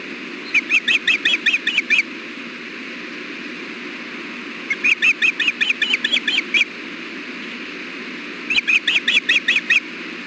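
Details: Hellgate ospreys, nest camera, 6.4.16 near 4:00 pm, male arriving with fish for the brooding female. Three fast, excited bursts of piercing chirps, about ten notes each, spaced a few seconds apart.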